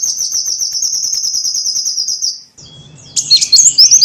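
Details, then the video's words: Lure call of a small bird, used to attract small birds: a long unbroken run of rapid, thin, very high chirps for over two seconds. After a short pause comes a burst of sharp, squeaky high notes over a faint low rumble. "SUARA PIKAT BURUNG KECIL"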